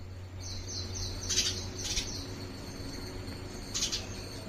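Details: An Indian house sparrow examining an artificial nest at a house gives a few short, bright chirps in quick bursts over a steady low hum and faint high background twittering.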